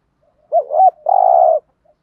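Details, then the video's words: Spotted dove used as a lure to draw in wild doves, giving one phrase: a short dipping two-part coo rising and falling, then a longer flat husky coo, against quiet background. "tiếng chim cu gáy mồi chuẩn kích bổi hiệu quả"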